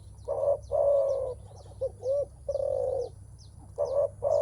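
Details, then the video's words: Spotted dove cooing when meeting a rival, a sound made when contesting strength and mostly given by males: series of low, hollow, drawn-out coos with short throaty notes between, faint high chirps of other birds behind. "Suara menguku terkukur"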